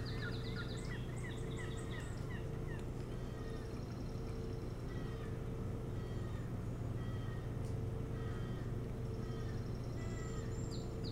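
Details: Osprey at its nest on Hog Island near Bremen, Maine, recorded by a nest camera on 25 July 2018; a quick burst of sharp, high, downward-slurred chirps opens the recording, then scattered fainter chirps over a steady low mechanical hum.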